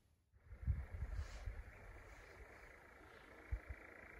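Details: Churring nightjars in Llanwonno Forest in 2022: a faint, steady, unbroken mechanical churr holds at one pitch for the whole stretch, behind low rumbling and a few soft knocks near the recorder.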